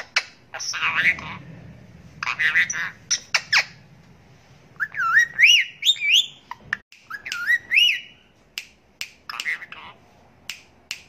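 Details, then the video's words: Indian ringneck parakeet talking and whistling: gruff speech-like phrases, then several clear looping whistles that dip and rise, followed by a steady series of sharp clicks near the end. "ASALAMALAKUM BOLNE WALA TOTA | BEST TALKING PARROT"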